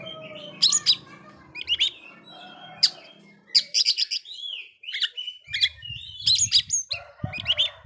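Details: Oriental magpie-robin song used to provoke other magpie-robins, with scattered sharp high notes, buzzy chatters and gliding whistles over a low background rumble.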